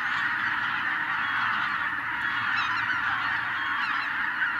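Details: Massive wild goose flock, tens of thousands of birds, lifted off by a white-tailed eagle in Hungary in 2023: a continuous wall of honking with a few higher yelps standing out above the din.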